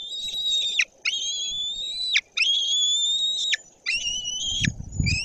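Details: Young white-tailed eagles at a nest in Bory Tucholskie, Poland, on 14 June 2022, on a nest camera. A young bird takes a fish from the male and calls: four long, level, whistled, harmonic notes, each about a second, ending in a sharp downward drop.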